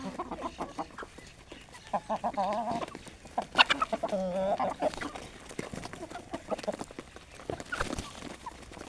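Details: Healthy Aseel hens gathered early in the morning at a village farm, eating traditional desi feed and natural grains; soft harmonic clucks and murmuring calls overlap, with a louder, drawn-out wavering call near the middle and scattered pecking clicks.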